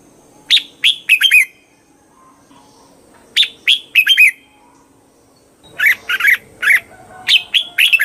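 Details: Red-whiskered bulbul repeating a cheerful phrase of four or five quick warbled notes, heard twice with a pause between, then a longer, denser series of similar bright notes over soft background noise.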